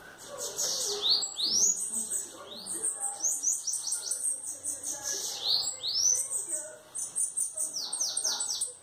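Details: A trio of bananaquits singing face to face, trading very high, buzzy, sweeping phrases and rapid chattering trills, nearly continuous with short gaps.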